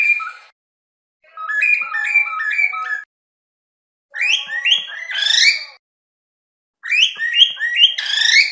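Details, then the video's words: Cockatiel whistle song in three bursts of rising stepwise notes, each ending in a richer, louder upward sweep, with quiet gaps between the phrases. "تغريد طائر الكروان أو الكوكتيل"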